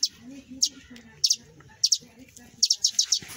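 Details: Two sparrow chicks fallen from their nest, kept in a box, give sharp high chirps in short bursts, ending in a quick run of five or six peeps, over a man's low speaking voice.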